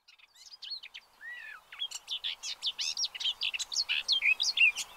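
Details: Pied avocets, possibly with chicks, at an observatory in Séné Nature Reserve, Gulf of Morbihan, 30 April 2023, give a busy run of short, clear, fluty notes, nearly three a second, some bending up and down, over soft hiss.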